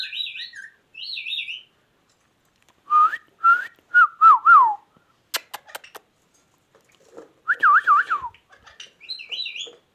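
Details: Ringneck parrot, said to be a talking bird, gives short wavering whistled phrases, some high and trilled, others lower and warbling, with a burst of sharp clicks in the middle and gaps of silence between.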